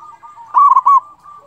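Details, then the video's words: A local zebra dove sings as a lure to stir other doves into calling. A single loud, rapid stuttering coo phrase breaks out mid-clip, framed by quieter continuous cooing from other doves in the background. "pancingan perkutut lokal gacor suara ampuh bikin lawan cepat bunyi"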